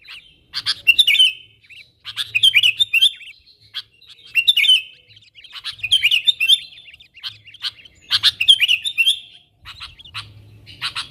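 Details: Calls of a sooty-headed bulbul summoning wild birds, intended as a lure: bursts of chattering whistled notes come roughly every two seconds, each opened by harsh clicking, with quiet gaps between.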